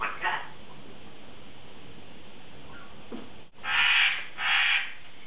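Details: Pet Congo African grey parrot, a 3.5-year-old female, chattering indoors in the morning; after a few faint calls, two loud, harsh, rasping squawks follow close together near the end.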